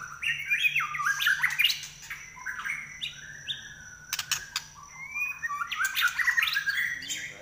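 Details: White-rumped shama delivering a varied, rapid song of whistled and chattering phrases with quick pitch jumps, bursts separated by a pause in the middle, and a steady faint high tone behind.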